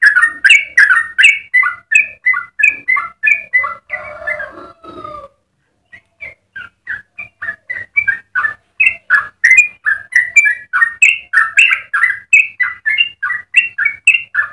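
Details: Yellow-vented bulbul song in the long rapid 'ropel' style meant for training other bulbuls. Dense, fast runs of gurgling notes fill the first five seconds, then after a brief silence the bubbly warbling builds again steadily.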